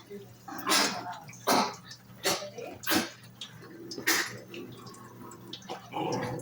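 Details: Lovebird copying the sounds of a puppy: a series of rough, noisy yips and squeaks, about six bursts spaced irregularly under a second apart, over a low indoor hum.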